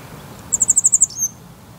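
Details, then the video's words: Grey wagtail at Salinas y Arenales de San Pedro del Pinatar regional park, Murcia, Spain, recorded on a camcorder: a quick run of seven sharp, very high ticking notes, then a thin falling whistle, over soft low background rumble. "Lavandera cascadeña (Motacilla cinerea) Grey Wagtail"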